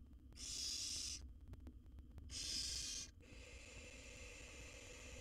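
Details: Wild barn owl nestling in its nest box, swallowing a rat; two loud breathy hisses close together, then a lower continuous rustling noise and background hum.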